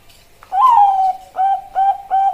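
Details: Female Bangkok zebra dove calling a male, a lure recording: a long, gently falling coo followed by three short, evenly spaced coos at the same mellow pitch.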